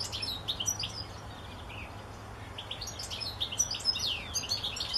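A European goldfinch sings a quick, liquid run of tinkling twitters and buzzy trills, high-pitched and jumbled, over a low steady hum.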